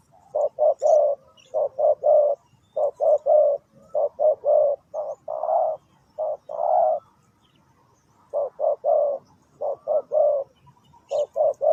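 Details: Spotted dove used as a decoy for ground trapping, giving low, soft coos in clusters of two to three notes, phrases repeated with brief pauses and one longer gap, faint high chirps above.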